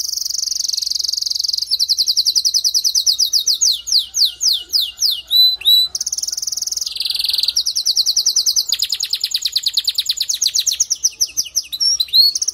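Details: Male canary song meant to make a hen canary build her nest fast: long rapid trills, then descending whistled sweeps repeated in series, followed by buzzy rolls and fast rising chirps.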